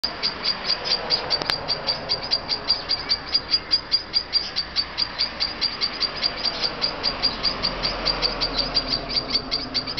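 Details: Noisy bird calling every morning and night, giving a steady run of short, high, sharp chips at about two or three per second, each note much alike, with faint background hum.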